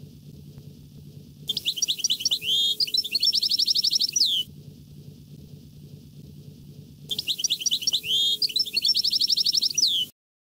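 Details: Goldfinch with a rare, distinctive 'nahra' song: two bursts of high, jumbled twittering and rapid repeated chips, each about three seconds long and closing on a falling whistle, separated by a few seconds of quiet hum.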